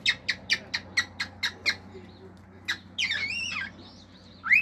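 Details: Pet male cockatiel singing at home, mixing natural calls with imitated sounds: a fast run of eight sharp clicks, a lone click, then a wavering squeaky warble and a rising whistle.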